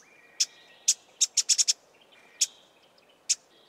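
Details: Two Karoo scrub robins giving scratchy alarm calls: short harsh broadband bursts, single or in a quick cluster of four, spaced irregularly, over a faint steady background whistle from another bird.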